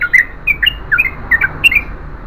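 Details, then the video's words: Yellow-vented bulbul giving a lively 'gacor ropel panjang' long continuous song: a quick burst of bubbly, slurred notes, some rising and some falling, with faint low hum underneath. "BURUNG TRUCUKAN GACOR ROPEL PANJANG"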